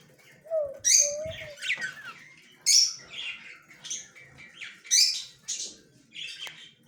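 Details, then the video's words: Yellow male budgerigar recorded on October 9, 2024, giving a short whistled note followed by loud scratchy squawks and chirps in bursts about every two seconds. "Australian bajari parrot yellow male bajari"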